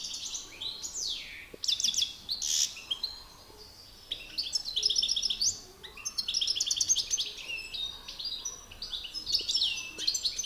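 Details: Male European goldfinches in a singing contest, a master singer against an excited rival: bright twittering phrases of rapid chirps, buzzy trills and falling slurred notes, in bursts separated by short pauses.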